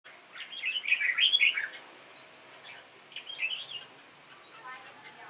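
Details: Two red-whiskered bulbuls in a singing contest against an older decoy bird: a loud burst of bubbly warbled whistled phrases, a quieter second phrase, and faint high rising slurred calls from other birds.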